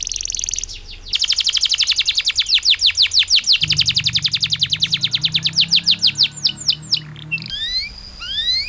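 A canary pours out a long, fast rolling trill of high, down-slurred notes for several seconds, then breaks into sharper whistled phrases over a faint low hum.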